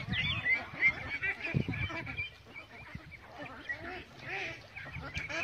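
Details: Farm-raised domestic ducklings, healthy and active, giving thin, high peeps and short nasal calls at an uneven pace, a few low thumps and rustles in the background.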